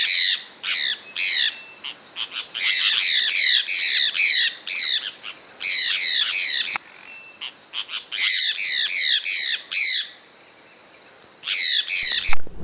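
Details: Sulphur-breasted parakeets from Pará and Amapá, Brazil, calling in loud grating squawks, dense bursts separated by short pauses, a brief lull near the end before a final outburst, with a low thump at the close.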